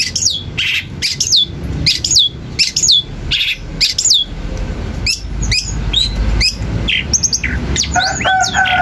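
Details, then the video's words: Long-tailed shrike song, played to provoke other shrikes into responding: sharp, downward-sweeping whistled notes and rapid chirps in clusters, over a low background rumble. "Berikan suara cendet ini di jamin cendet lain akan emosi dan ikut nyaut"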